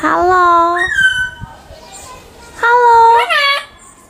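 A Saint Vincent amazon talks in two clear, human-like phrases, the first held level and then rising, the second steady with a lilting end, in a quiet room.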